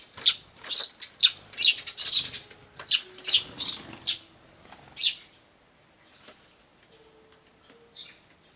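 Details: Adult sparrow fighting a young sparrow, recorded 13 June 2012: a rapid run of loud, sharp chirps, about two or three per second for five seconds, then quiet with a few faint notes and one last chirp near the end.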